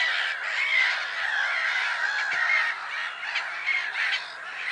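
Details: On 10 April 2011 at Lake Sarymsak in Pavlodar Region, Kazakhstan, a crowd of black-headed gulls keeps up loud, harsh, croaking cries, overlapping densely and fading slightly toward the end.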